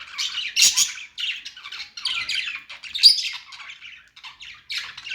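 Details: Budgies singing and chirping: rapid scratchy warble broken into short chattering phrases roughly every second, with sharp squeaky accents and buzzy notes, no other clear sounds.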